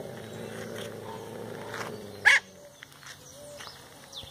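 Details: A pet maritaca parrot imitating the dogs that bark when someone passes gives a single loud, harsh, dog-like bark over a faint background hum and a few soft clicks.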